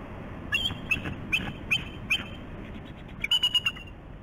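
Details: Wild bald eagle pair on the morning of 11 November 2016, visiting their nest at the West End of Catalina Island, California, recorded by a nest camera: five high, thin chirped calls about half a second apart, then a quick run of four piping notes, steady background hiss.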